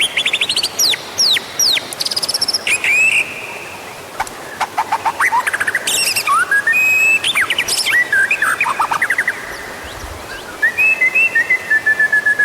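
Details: White-rumped shama song used to prompt other birds to sing: varied loud whistles, sharp rising and falling sweeps and rapid clicking trills in quick succession, over steady background hiss.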